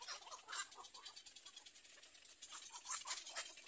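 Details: Little egret chicks in a nest, waiting for their mother, give begging calls: harsh, scratchy rasping bursts at an irregular, fairly quick pace, some louder than others, over a faint hiss.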